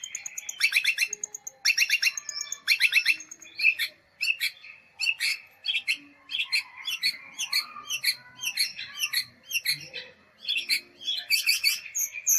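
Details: Long-tailed shrike singing in a nitik style: a dense, fast run of sharp high chirps, clicks and short trills in tight varied bursts, with brief gaps between phrases.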